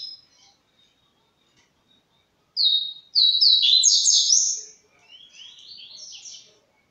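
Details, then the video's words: White-shinned bird starting to sing: after near silence come a couple of clear high whistled notes, then a fast tumbling run of bright slurred whistles, fading into softer, lower-volume twittering. "Passarinho canela branca começando a canta"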